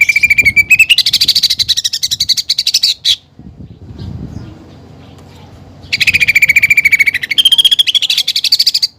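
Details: Two bouts of fast, rattling high trills from a greater green leafbird, split by a quiet gap with a low rumble, from a training song full of fighting-sparrow and woodpecker-style fill-ins.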